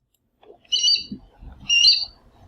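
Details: Chestnut-eared Aracari from the Brazilian Cerrado: two short, harsh, high squeaky notes about a second apart, each a stacked band of tones, with faint low rustling between them.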